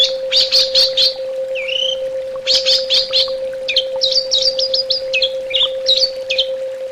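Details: Orange-headed thrush song mixing clusters of sharp chirps, a lone slurred whistle, and a fast series of short clipped notes, with a continuous low hum behind.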